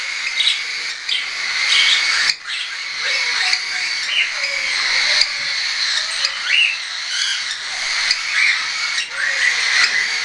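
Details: Juvenile hand-tame cockatiels, some weaned and some not yet, on 10 September 2012; overlapping harsh squawks and chirps from many birds fill the whole stretch, broken by a short dip in loudness.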